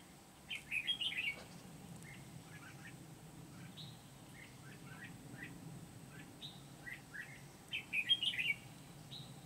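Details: Red-whiskered bulbul kept as a decoy for trapping wild birds at Kim Bôi, 8 September 2019; rich warbled whistled phrases burst out near the start and again near the end, with scattered short chirps between, over a faint low hum.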